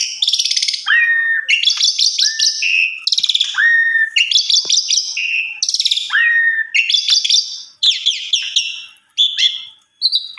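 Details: Song of an Asian pied starling used to teach other starlings: repeated sequences of rasping, stuttering bursts each followed by a clear upslurred whistle, continuing steadily with short trills near the end.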